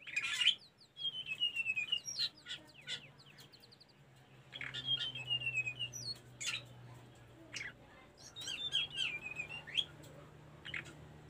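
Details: Sunda Blue Robin song recorded for training caged birds: thin high whistled phrases, some sliding downward, interspersed with sharp chips in bursts, with pauses between phrases and a low steady hum underneath.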